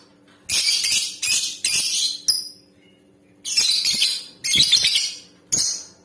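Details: A caged female lovebird calling to stir a male into lively singing and breeding: loud harsh, buzzy screeches in bursts of about half a second, with a quiet gap midway, over a faint steady hum.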